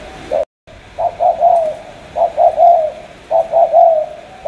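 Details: Low soft coos of a spotted dove from Cà Mau, Vietnam, delivered as quick paired and tripled notes, after a brief cut at the start.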